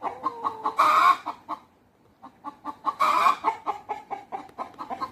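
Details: Rooster and hens chattering together at a natural history museum where white peafowl are also kept: rapid short clucks with two loud harsh squawks, a brief pause, then steady clucking resumes.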